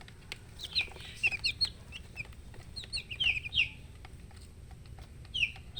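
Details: Several chicks chirping: shrill, falling peeps in rapid little groups, with a quieter gap in the middle and a last pair of peeps near the end, plus faint tapping sounds.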